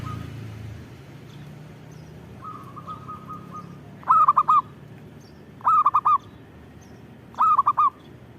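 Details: Local zebra dove, called perkutut, singing lively: a soft quick trill of repeated notes, then three loud cooing phrases of three to four notes each, spaced about one and a half seconds apart.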